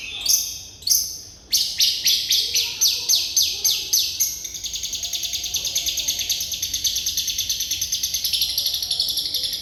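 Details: Lovebird singing in the bocor isian style. It opens with loud, high, sliding chirps that descend, then runs into a long, fast, continuous chattering trill.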